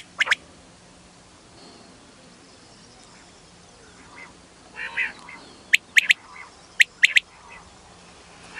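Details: Calls of a female quail, used for hunting quail in wheat. Long quiet stretches break with scattered short notes, then a closing run of bright, sharp chirps in pairs, loose and irregular in timing.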